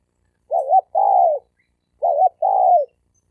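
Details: Male spotted doves challenging each other to fight. Two repeated coo phrases: a short warbled double note, then a drawn-out coo that slurs downward at the end. The phrases come in close succession against silence.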